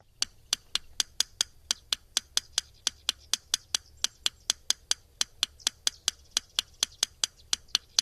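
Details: Yellow Rail ticking, overlapping non-bird-like tick calls: sharp dry clicks in uneven runs of twos and threes, about three a second, like pebbles tapped together, over a faint low hum.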